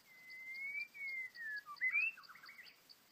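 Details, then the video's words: White-rumped shama, described as a trapped, angry bird in the wild: a long clear whistle sliding slightly up then down, followed by quick rising and falling chirped notes, with a steady insect pulse behind. "Birds White-rumped shama: Trapping A Angry Bird, Birdsong Chirping In The Wild"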